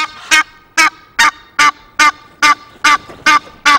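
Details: Loud Egyptian goose honking from a webcam at Loch of the Lowes, Scotland, on 5 March: nine sharp, rasping, evenly spaced honks, about two or three per second, over a quiet background.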